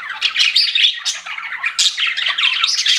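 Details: Pet budgerigars give scratchy, squawking chirps and quick warbles in fast bursts. The bright, high chatter rises and falls over three seconds.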